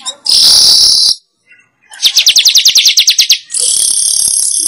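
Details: Weaver calls meant to lure wild birds: a loud buzzing hiss, a brief quiet pause, then a quick series of bright, high chirps, ending in a sustained sizzling buzz.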